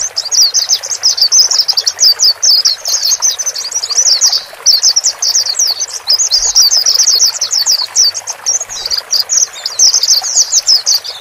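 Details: White-eyes, male and female, sung to help a newly bought bird adapt to its own cage; eleven seconds of fast high twittering chatter in long bursts with brief pauses, a faint watery hiss beneath.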